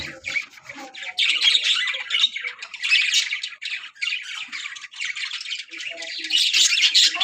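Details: Breeding colony of budgerigars, many birds calling at once in a dense, continuous wash of scratchy squawks and chirps that swells louder toward the end.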